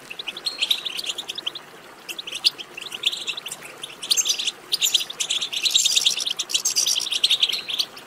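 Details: Goldfinch batbata, a chattering twitter meant to prompt another goldfinch into song: fast, high, tinkling notes running almost continuously, growing denser and louder in the second half.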